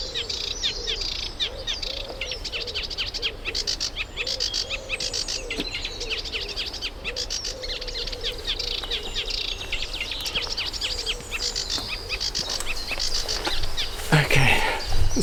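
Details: Reed warbler in reeds at a UK nature reserve in nesting season; a steady stream of rhythmic chattering, scratchy notes, about two per second, ending in a louder burst of noise.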